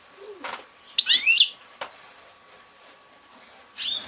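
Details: European goldfinch placed together with an unproductive female goldfinch hybrid to see its reaction; a brief burst of bright, twittering high chirps tumbling together, framed by a few scattered clicks and rustling noises.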